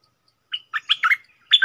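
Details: Red-whiskered bulbul used as a decoy bird, giving short chirpy whistled phrases in three quick bursts, with a brief fluty note between and a rich two-part phrase at the end; no other sounds.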